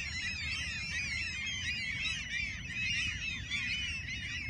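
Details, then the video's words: Gull flock in Alaska, crowded overlapping cries rising and falling in quick succession, loud and continuous, with a constant low background rumble. "Sea Gulls are no respecter of the weather!"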